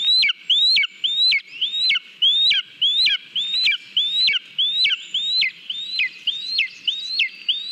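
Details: Lesser spotted eagle at its nest in Latvia on 18 July 2022, eating a mole on its own, filmed by a live nest camera. High whistled notes rise and then drop sharply, repeated steadily, about 100 per minute, without pause.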